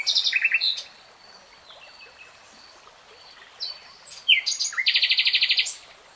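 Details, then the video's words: Common nightingale singing varied phrases: scattered high chirps and whistled notes, then a brief pause and a loud rapid trill of evenly repeated high notes lasting about a second. "BEST NIGHTINGALE SONG 3 Hours REALTIME Nightingale Singing"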